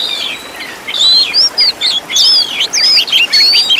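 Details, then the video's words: Oriental magpie-robin master recording for training caged birds: after a soft start, loud clear whistled notes with sweeping slurs and quick chips come in short bursts. "MASTERAN BURUNG KACER FULL ISIAN TEMBAKAN MEWAH LENGKAP"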